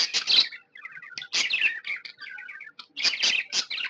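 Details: Pet budgerigar, described as happy, gives harsh rapid chirps, then a soft string of short clicky warbled notes, then another burst of loud scratchy chatter.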